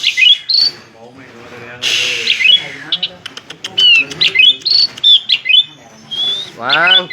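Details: Asian pied starling, said to vary its voice widely and imitate human speech, giving a mix of clear whistles, squeaky slurred notes and harsher voice-like phrases in quick alternation.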